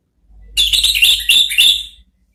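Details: Orange-headed thrush in a therapy song meant to make thrushes answer: a rapid, loud, chattering burst of many whistled and warbled notes lasting about a second and a half over a low hum.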